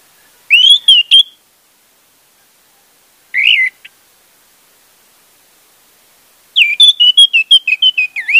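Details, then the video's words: Orange-headed thrush song played as a lure to make a silent bird start singing: fluty whistled phrases separated by pauses, with a short lone note mid-way and a long rapid run of varied chirps and whistles at the end. "pancingan anis merah untuk anis merah macet"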